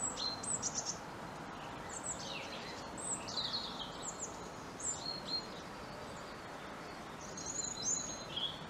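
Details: European robin singing as a treetop visitor: high, thin, varied warbling phrases with sharp descending trills and pure whistled notes, broken by short pauses, over steady broadband background noise.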